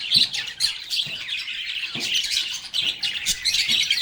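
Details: Lovebirds chirping and talking together: rapid, high, twittering notes and squeaky calls running almost without pause, with soft taps underneath.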